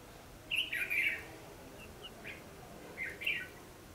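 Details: Red-whiskered bulbul fighting song, recorded while trapping: a loud, rich warbled phrase, a short pause with soft chips, then another brief whistled burst.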